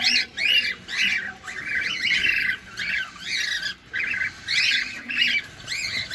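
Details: Feeding cockatiel, recorded close: loud, harsh squawking notes in clumped bursts, roughly two per second, each rough and noisy with a sweeping shape, broken by short quiet breaks.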